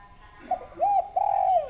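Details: Clear-voiced spotted dove cooing: a brief soft note, then a rounded coo and a long sliding coo that fades downward, in a quiet indoor-sounding setting.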